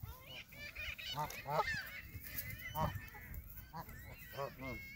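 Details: Canada geese at Hawreluk Park Lake, a flock calling in honks: short nasal notes with stacked harmonics, some rising and falling, scattered irregularly through five seconds over a low background rumble.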